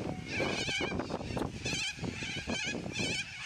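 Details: Noisy flock of yellow-crested cockatoos giving loud squawks: harsh, raspy screeches with wavering tones, several overlapping calls roughly every half second, coarse low rustling beneath.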